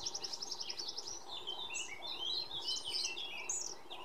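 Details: An Iberian pied flycatcher sings in the Sierra de Piedrahita, Central Spain, on 4 May 2014. A quick string of about a dozen high, evenly spaced notes rings out. A busy jumble of twittering from other birds follows.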